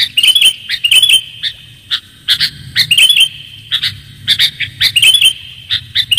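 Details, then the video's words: Sooty-headed bulbul luring recording: lively, repeated phrases of clear, bubbling whistled notes and sharp chirps that come in close bursts about every second, over a light background hum. "pikat kutilang suara jernih"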